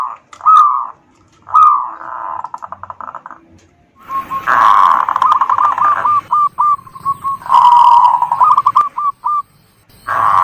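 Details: Local zebra dove cooing used to stimulate other birds: short arched coos, then dense rolling phrases and a quick string of bouncy hooting notes, with faint background buzz.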